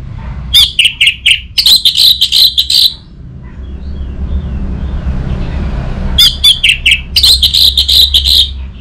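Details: Orange-headed thrush, a cage bird in northern Bali, Indonesia, singing two bursts of fast, buzzy, rapidly repeated notes about three seconds apart, with a soft rumbling hum filling the gap.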